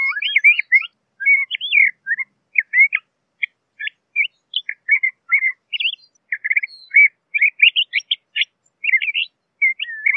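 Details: Extended LeConte's thrasher song, a continuous string of short, varied whistled and slurred notes, many sharply rising or falling, with few pauses over ten seconds and nothing else audible.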